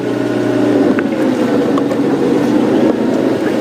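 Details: Steady engine rumble of a safari vehicle on a morning drive, with low droning hum throughout and no clear animal calls.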